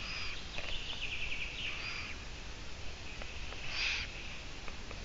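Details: Long-eared owl from a live stream on 17 June 2017, 12:14; a drawn-out raspy hiss with faint squeaky overtones, then a brief pause and another harsh burst near the end, set against constant low rumble.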